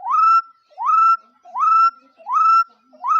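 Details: Bird calling: a clear whistled note sweeping up and then holding level, given about every 0.8 seconds with rich overtones. The background is quiet.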